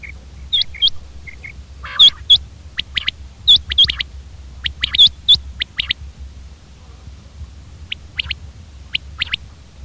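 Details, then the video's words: Common quail calling with short, bright, sharp notes grouped in quick pairs and triplets, the groups repeated about every one and a half seconds, followed by fainter scattered clicks over a quiet background. "common quail bird sound"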